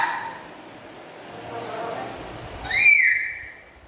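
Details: Black-capped lory kept as a tame pet murmurs a low, mumbling chatter, then breaks into one sharp, loud whistle with strong overtones.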